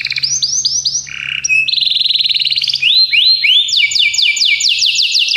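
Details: Belgian canary song for training canaries, varied phrases of quick rising and falling whistled notes, a buzzy low trill, then long runs of rapid repeated sweeps, several per second, over a soft low hum.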